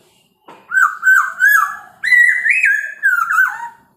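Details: Morning song from a Chinese hwamei, used to provoke other birds: a flowing run of full, clear whistles, wavering and slurring up and down in one continuous phrase with a short break midway.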